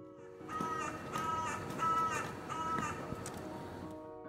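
A carrion crow gives about four harsh, rasping caws, roughly one every second, over soft background music.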